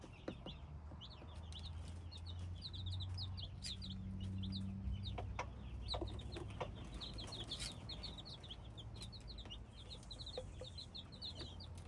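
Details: Many hybrid chicken chicks cheeping busily, with thin descending peeps packed closely, several soft clicks and knocks, and a low rumbling hum throughout.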